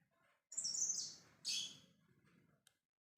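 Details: Lovebird in ngekek style, calling to others to draw a reply: a shrill, harsh high screech of about a second, then a second shorter rasping burst, with soft low rustling beneath.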